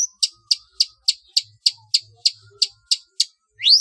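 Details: {'text': 'Long-tailed shrike song used as a training recording for competition birds, with a style called trotol: eleven sharp, high descending chips repeated at an even pace about every quarter second, ending in one rising whistled sweep.'}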